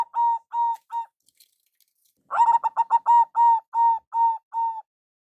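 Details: Local zebra dove lure call: three evenly spaced coos, a brief pause with faint clicks, then a quick stuttering run flowing into five long level coos.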